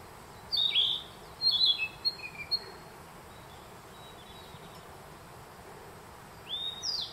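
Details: Singing Narcissus flycatcher in a spring forest at Myojin, Kamikochi, Japan, June 2021; a high whistled phrase followed by a burst of quick chips and falling notes, and later a pair of rising whistles, over faint background hiss.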